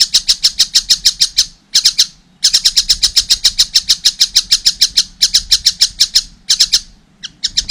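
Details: Young collared kingfisher calling in quick runs of harsh, high notes, interrupted by several short silences and a brief stutter near the end.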